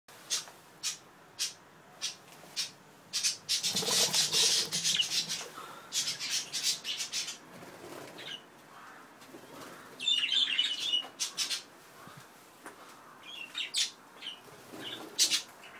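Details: Budgerigars in an aviary chatter with quick, scratchy chirps and squawks, mixed with calls from cockatiels sharing the aviary.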